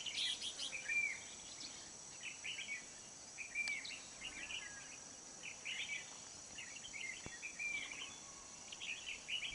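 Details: Red-whiskered bulbul recorded during trapping of a wild-caught old bird with a decoy, 20 November 2019; short chirpy, warbling phrases repeated in bursts every second or so, with faint insect hiss behind.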